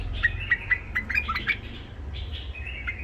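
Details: White-eared bulbul, a tame rough-voiced Iraqi bird whose song trains young bulbuls: a series of repeated chirped notes about a quarter second apart, rising into a short warble, over low background rumble.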